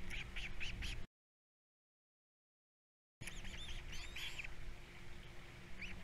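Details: Three osprey chicks at a nest on Captiva during feeding time, giving rapid series of high, thin, upswept whistled chirps, several per second, with a break in the middle; constant low hum beneath.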